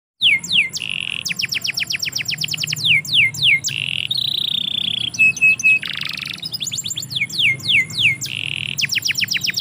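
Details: Canary singing in a yard: a loud, varied stream of rapid descending whistled sweeps, rolling trills and buzzy held notes, phrases changing every second or so with no break.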